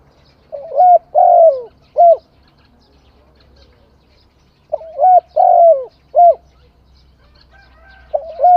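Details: Spotted dove song of three low, soft coos, the middle one fuller and falling, with the phrase repeated about every four and a half seconds against near silence.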